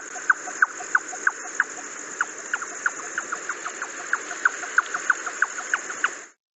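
Jungle Nightjar giving a long run of hollow, knocking 'chuck' notes, about three per second, steady and even, over a constant high insect-like hiss.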